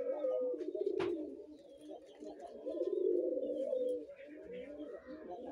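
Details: Five-month-old captive red collared doves (Streptopelia tranquebarica) give low, rolling, grunting coos in two drawn-out phrases about two seconds apart, with a sharp click and faint chirps in the background.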